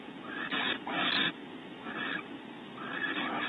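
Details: Barn owls in a nest cavity at Starr Ranch, California, during a bonding visit as the male fetches prey from a pantry for the female; three harsh, hissing bursts, short and breathy, over steady background noise.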